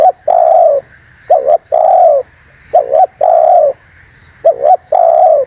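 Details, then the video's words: Cooing of a spotted dove, used as a lure to draw other birds in: three cycles of a quick doubled coo then a long even coo, about every two seconds, with a constant high hum behind. "MP3 Suara TERKUKUR GACOR ‼️semua burung pada ngumpul"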